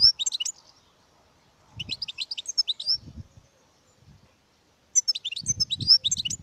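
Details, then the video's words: European goldfinch song in three bursts of quick, high, tinkling twitters and trills, each about a second long and separated by pauses, with soft low thumps and rustles underneath. "Goldfinches(carduelis) Amazing Singing"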